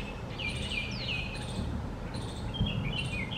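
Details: Bulbul heard on 17 November uttering lively warbled, slurred phrases twice, each a cluster of rising and falling notes. Rhythmic insect pulses and a dense low rumble sit behind.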